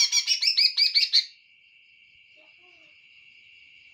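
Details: Rapid run of bright, scratchy repeated notes from a greater green leafbird for about a second, after which only a continuous high-pitched drone remains.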